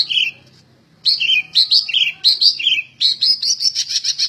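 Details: Prolific singing greater green leafbird, said to be ready for contest hanging: bright slurred whistles alternating high and lower pitches, then a quick run of repeated sharp high notes at the end.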